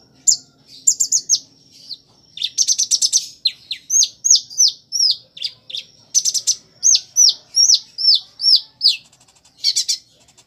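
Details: Van Hasselt's sunbird (Leptocoma brasiliana) in full song gives a rapid, very high string of thin, slurred whistles and sharp chips, about three notes a second, with mimicked phrases said to include ciblek, sparrow and chick calls.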